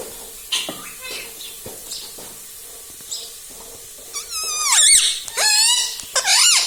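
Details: Caged-at-home rose-ringed parakeet talking: faint scattered sounds at first, then three loud harmonic bent syllables near the end, squeaky and wavering, like a spoken word being mimicked.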